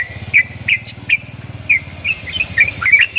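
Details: Javan myna producing unusual sounds: scattered sharp whistled chirps over a steady low hum, irregular at first, then closer together toward the end.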